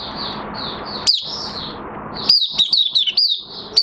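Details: Oriental white-eye in a cage, in minor moult, 3 June 2022. Over a hissing background a lone high chirp sounds, then a quick cluster of sharp, descending twitters.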